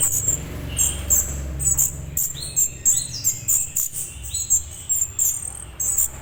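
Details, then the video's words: Orange-headed thrush juvenile calling, a sound used to get adult birds to react: high, thin chirps repeated about every half second with short lower whistles between, over a persistent low rumble. "suara trotol anis merah cocok buat merespon anis merah dewasa"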